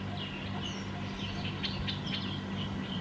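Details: Black-headed bulbul at Sa Phang, Khao Yoi, Thailand, December 2020, uttering short slurred whistles and sharp chip notes in quick succession above a low droning background.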